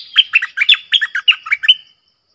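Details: Red-whiskered bulbul singing a clear 'double' song phrase used as a lure sound: about ten quick, bright, warbled notes that slide up and down, delivered in a rush over two seconds.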